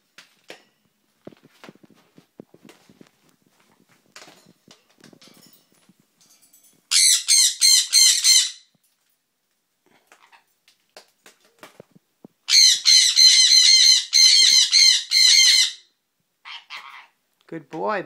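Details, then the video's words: Baby sun conure parrot indoors, giving loud, harsh, shrill screeches in two bursts of rapidly repeated shrieks, the first about a second and a half long and the second about three seconds, then a short lower squawk, with faint clicks between. "Sun conure baby parrot"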